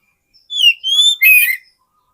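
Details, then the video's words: Oriental magpie-robin song used as a lure for wild magpie-robins: three loud whistled phrases, a clear sliding whistle followed by a rising note and a harsher burst, in a quiet background. "SUARA PIKAT BURUNG KACER YANG SATU INI"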